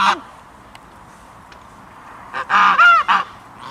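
A goose gives a brief opening honk, then after a pause a quick run of three loud, nasal, harsh honks.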